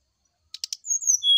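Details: Brown-chested jungle flycatcher morning song used as a lure to draw a reply: three dry buzzy clicks, then high, thin whistled notes that slide and finally settle on a steady lower whistle.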